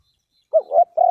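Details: Cooing of a spotted dove, a short low coo then a longer steady note, the final coo cut off at the end; faint high sounds in the background.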